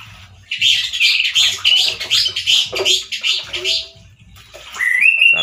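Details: Male orange-headed thrush, a caged singer, giving a loud, harsh song like in the wild: dense runs of rapid buzzy, scratchy notes repeated about every half second, ending in a rising whistled slur; low background hum.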